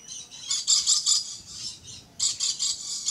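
Red-collared lorikeet giving harsh, high, rasping screeches in quick runs of short bursts, a brief pause, then another burst of shrill notes.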